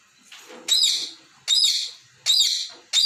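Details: Pet talking parrot playing with its toy balls, said to be scolding them for moving. It gives harsh, high chirping squawks, each about half a second long, repeated roughly every 0.8 seconds.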